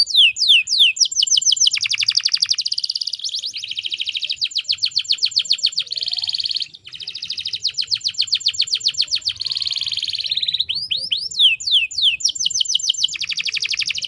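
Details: Female canary call played as a lure so males start singing: long rolling trills alternate with rapid buzzy notes and quick downslurred sweeps, with one brief pause midway.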